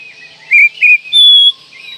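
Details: Kacer, the Oriental magpie-robin, in birdsong training audio: two quick whistled notes followed by a longer, steady, piercing whistle, set against continuous background hiss.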